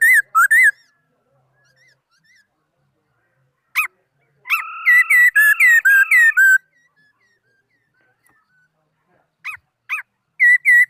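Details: A laughingthrush sings in 2018: brief whistles and sharp notes, then a rapid, dense phrase of overlapping loud whistles lasting about two seconds, followed by scattered sharp notes and closing whistles.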